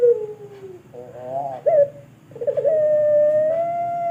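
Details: Captive pelung barbary dove from Sragen with a long voice used for tutoring other birds: a drawn-out falling hoot, a wavering trill, then a long, even, slightly rising coo held for nearly two seconds.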